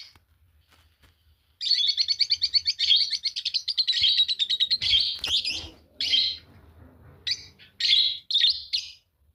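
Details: Fischer's lovebirds, a green pair, sing a long rapid stuttering chatter of pulsed shrill notes for several seconds, followed by separate sharp screeches.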